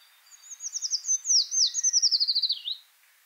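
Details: Eurasian treecreeper singing in the Wittlicher Tal: one high, thin, accelerating phrase of about twenty rapid notes that slides downward in steps, with a brief flourish, then dips and ends abruptly, lasting under three seconds.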